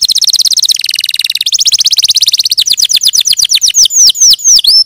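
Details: Canary singing a fast, rolling trill that drops and rises in pitch, slowing into distinct downward-swept whistles and ending with long, loud looping notes.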